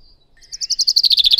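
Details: Yellowhammer song in spring, a very repetitive phrase: a fast, dry series of about fifteen high, buzzy notes that quicken and grow louder, with no other sounds heard.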